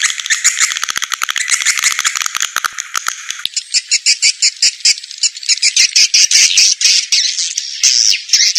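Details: Swiftlet lure call used to attract swiftlets: dense, high chattering twitters and buzzy rattles, fast pulses packed together at first, then separating into a quicker run of sharp clicking chirps with brief gaps.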